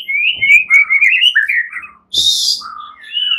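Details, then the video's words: Agitated caged white-rumped shama males answering one another; smooth whistled glides and slurred phrases, a brief break, then a harsh high burst and more rising whistles. "Hampir seluruh #muraibatu FIGHTER ikutan NYAUT GACOR dan jadi EMOSI"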